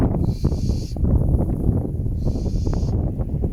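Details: Barn owls in a croft house in November, loud hissing as the male tries to win the female over to a new nesting spot; two prolonged, rasping hisses about a second and a half apart beneath strong wind roar.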